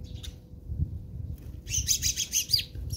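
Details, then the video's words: House sparrows fighting in South Africa: after a brief chirp and a quiet gap, a dense run of harsh, rapid chirps and twitters packs the final second and a half, over a low background rumble. "Watch a Spectacular Sparrows Fight"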